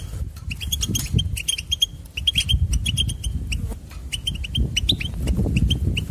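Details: Goldfinch song played to motivate trainee singers: a lively stream of short clipped chirps, densely packed and repeated in runs, with a continuous low background rumble.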